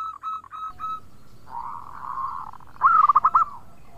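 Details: Local Indonesian zebra dove singing: short soft coos, a longer hum-like note, then a rapid series of bubbling, stuttering coos, over steady background noise.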